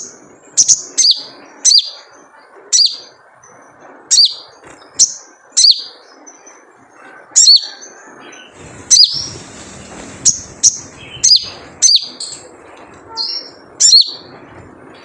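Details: Crimson sunbird in the wild, 'jrejet cuit' call played as a lure to prompt singing: a fast, steady series of sharp, high, downward-flicking chirps, roughly two per second at times, against soft background noise.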